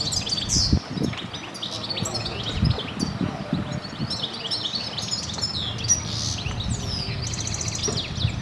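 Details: Corsican goldfinch, said to be recorded in Sicily, Italy, sings a rapid, liquid twittering song of high chirps and tinkling trills, with steady low wind rumble underneath.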